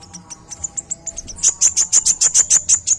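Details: Olive-backed sunbird (kolibri ninja) singing in the rapid 'tembakan' style used as tutor recordings for training birds: very high, thin chips in a rhythmic series that turn into a louder, faster rattling burst halfway through.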